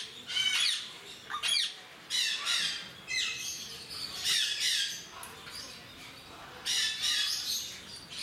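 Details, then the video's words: Timneh African grey parrots at Mysore Zoo give harsh, raspy squawks and chattering bursts, about six to eight across the stretch, with faint background hiss between them. "Skilled MimicTimneh African Grey Parrots"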